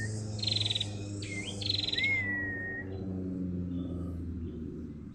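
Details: Female prinia calling to spur other birds into song: two quick buzzy, rasping bursts, then a rising and falling whistled note, then a thin level whistle, with a low droning hum beneath.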